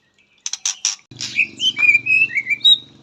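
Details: Kept white-rumped shama with 'isian katem' song material: a few sharp buzzy notes, then a run of clear rising and falling whistles over a steady low mechanical hum.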